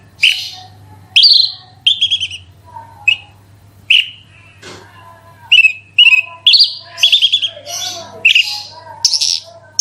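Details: Bush lark (branjangan) pouring out energetic 'roll tembak' song meant to spur other larks to sing: bursts of buzzy, rasping chirps mixed with clear whistled notes. The phrases come faster and denser toward the end, over a faint hum.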